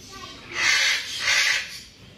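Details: A tame Black-capped lory (Lorius lory), newly arrived at a Victorian pet bird store in Australia, gives two harsh, hissing screeches of about half a second each, with a short pause between them.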